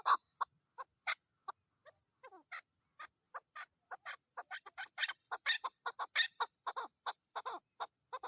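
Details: Female chukar partridge during the mating season: scattered hoarse notes at first, then a quickening series of rasping chuk calls, some higher and sharper, in no steady rhythm.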